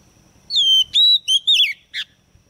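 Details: Female white-rumped shama kept as a lure bird, singing to stimulate males: a short phrase of clear, loud whistles falling around the middle pitch, four notes with slight slurs, then a brief burry note.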